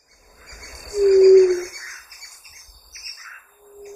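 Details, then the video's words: Ruddy quail-dove (Geotrygon montana) gives a single low, hollow, steady coo lasting about half a second, over a background of insect hum and faint distant birds. "Pariri (Geotrygon montana) Ruddy Quail-Dove"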